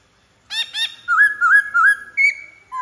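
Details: White-browed laughingthrush song opening with two harsh, rich chattering notes, then a run of quick rising-and-falling whistled phrases and a sustained higher whistle, in a quiet setting.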